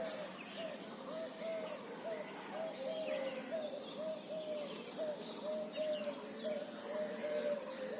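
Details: Bird calling with a steady series of short, low, hooting notes repeated about every second and a half over continuous outdoor hiss, with faint higher chirps from other birds in the background.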